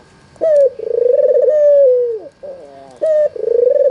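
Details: White albino Barbary dove with red eyes, kept as a lure so other doves answer. It gives a bright short note, a long purring coo falling away, and then a second phrase beginning.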